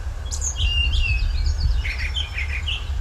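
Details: Brown Thrasher singing at long range from a treetop under a bright blue sky; a varied run of whistled and buzzy phrases, some given twice in a row, with a steady low rumble of background noise.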